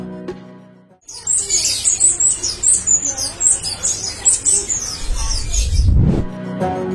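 Thick-billed Flowerpecker giving rapid, high, thin chips, about three or four a second, over a low music bed, ending in a rushing whoosh.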